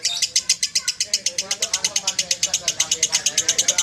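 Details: Champion lovebird delivering fast, even chirps in a continuous run, roughly seven per second, high and bright, with faint low murmuring in the background.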